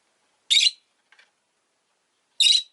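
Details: Pair of rosy-faced lovebirds bunched together at an entrance: two loud, rasping, shrill chirps about two seconds apart, with a soft, faint note in between.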